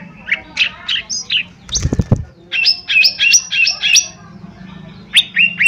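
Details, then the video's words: Singing lesser green leafbird used as a lure to prompt other birds to sing. Bright varied chirps and whistled notes, then a rapid string of doubled chip notes. A brief low clattering noise sits in the middle. "Cucak Ijo Mini Gacor 💯 Pancingan Paling Cepat Bunyi/Respon"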